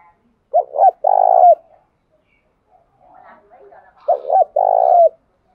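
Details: Spotted dove decoy bird, tame and kept captive, calling to provoke wild birds. It gives two phrases of low, breathy coos about three and a half seconds apart, each a quick double note and then a long hum. Faint murmuring is heard between the phrases.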